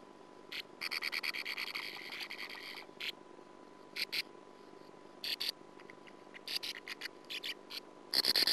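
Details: Sand martin at its nest, recorded by nest camera in 2009, giving dry, rasping buzzy chatters in short bursts, some about a second long, with a steady electrical hum and a loud scrape at the end.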